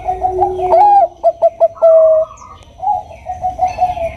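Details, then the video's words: Bangkok-type zebra dove, a female calling males: a mellow coo over a lower note, three short clipped coos, then a long sustained coo, with softer cooing trailing off afterward in a quiet setting. "Suara Perkutut Bangkok Suara Merdu"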